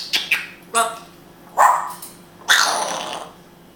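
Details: Pet grey parrot from Israel talking in Hebrew: clipped voice-like syllables and a stacked harmonic utterance, then a louder, broad, rasping burst, over a faint constant room hum.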